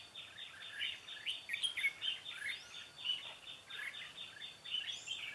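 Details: A decoy red-whiskered bulbul singing to lure wild birds into a trap on 13 March 2017; lively, clear whistled notes in rapid, slurred phrases, some sharp high accents, with light background hiss.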